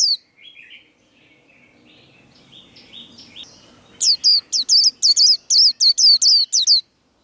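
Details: White-eye in a 'líu' singing duel: soft, lower twittering from another bird first, then from the fourth second a loud series of about ten high, sharp, down-slurred whistles in quick succession.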